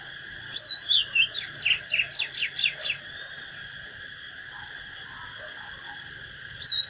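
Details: Oriental magpie-robin in fighting song, wild-type singing: a lively phrase of whistled slurred notes and rapid downward sweeps lasting about two and a half seconds, then quiet, with the next phrase beginning; steady high hum throughout.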